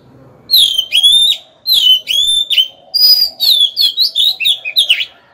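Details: Captive Oriental magpie-robin singing as a decoy to entice rivals to fight; two sustained, clear whistles with sliding ends, followed by a quick, jumbled sequence of rich melodic notes.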